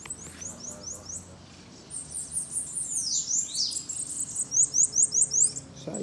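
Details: Bananaquit singing at a campeada: piercing, very high, sibilant notes repeated rapidly in a steady run, about two to three per second, with a faint low hum behind.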